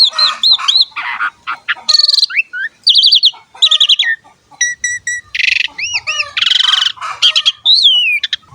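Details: Highly varied Asian pied starling song used to train young birds of both sexes: looping whistled notes, grating harsh bursts, rapid stacked trills, arched whistles and a long falling slur.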